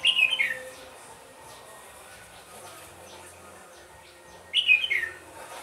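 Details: Red-whiskered bulbul used in trapping at Mỹ Đức, Vietnam, late afternoon of 31 December 2017; two short warbled, chattering phrases around mid-high pitch, one at the start and one near the end, separated by a quiet stretch with faint background hiss.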